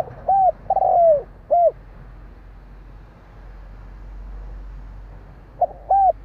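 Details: Close spotted dove coos: a clear coo, a long falling coo and a short coo, then a low steady hum before the phrase starts again at the end.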